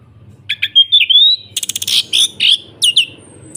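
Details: Orange-headed thrush singing in the full ngeplong style, used to coax a silent caged thrush into answering: a long rising whistle, then a fast burst of buzzy clicks and bright chirps over a faint low hum.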